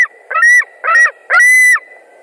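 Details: White-tailed eagles at a Latvian nest, 21 July 2019 around 20:49, screaming loudly as an adult flies in: three harsh, ringing notes with a buzzy overtone, the last longest, over a thin steady whistle.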